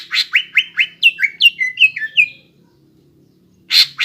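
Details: Greater green leafbird in full song, used as a lure to get young birds singing: a quick run of about ten clear whistled notes, each sliding down from high to mid pitch, then a short pause and a sharp burst at the end.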